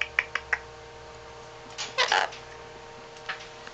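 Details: An 8-year-old pet Yellow-collared macaw (Primolius auricollis) makes three quick, sharp tongue clicks, then a brief raspy speech-like burst and a final click, over a steady low hum.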